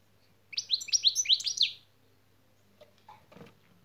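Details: European goldfinch in a training session, giving its şak şak song figure: a quick run of about seven sharp, rising, bright notes repeated in a tight burst, followed by faint voices in a small room.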